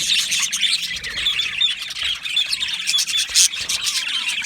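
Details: Budgies in an Australian-parrot aviary colony, with thin whistled notes and quick chirps rising out of a constant high chatter, plus a few brief squeals.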